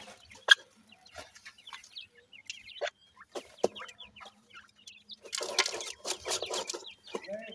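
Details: Feeding grey francolin chicks, dakni teetar, make soft, high peeps spaced through the first half. Sharp knocks and a stretch of harsh rustling noise follow.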